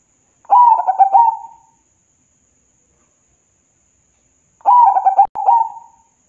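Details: Local zebra dove in full song, used to prompt reluctant birds to sing: two cooing phrases, each a stuttered series of quick notes running into a long, level, mellow trill, separated by about three seconds of silence.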